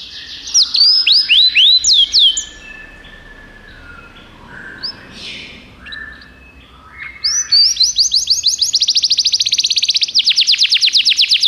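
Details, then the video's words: Belgian canary kept as a tutor ('professor') singing at length: a burst of rising, sweeping whistled notes, a quieter stretch of softer phrases, then a fast, even trill of rapidly repeated notes to the end. "professor Canário belga cantando muito - best singing"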